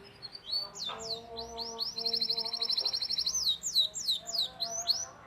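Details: Canary lure song for young birds learning to sing: falling whistled sweeps, then a sustained fast trill, then more repeated descending notes.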